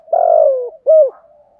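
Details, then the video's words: Single spotted dove phrase in the 'thổ' voice, part of an unbroken stimulating song meant to rile newly caught birds: a long buzzy coo sliding downward, then one clean rounded hoot and a faint trailing note. "cu gay tho thúc gù, ra bài liên tục, gây ức chế rất cao giúp bổi rất nhanh nổi"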